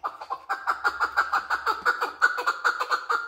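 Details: Male chukar partridge repeating a steady chuck-chuck-chuck call, nearly three notes a second, each a fairly low, clucking, slightly downslurred note, evenly spaced and continuous throughout.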